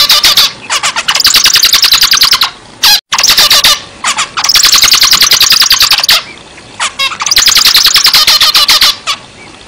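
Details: Zebra finch singing vigorously: extended bursts of rapid buzzy, nasal notes repeated almost continuously, separated by brief pauses and short clusters of sharp calls.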